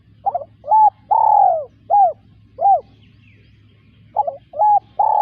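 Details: Spotted dove repeating its cooing phrase twice. Each phrase has a brief stuttered start, short arched coos and a long descending slurred coo. There is a pause of about a second between phrases, over a constant low hum.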